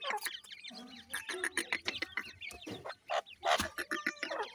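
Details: Grey francolin chicks calling at the nest: a busy run of short clucking and chirping notes in quick, irregular bursts, some brief rising whistles, with a few lower harmonic calls early on.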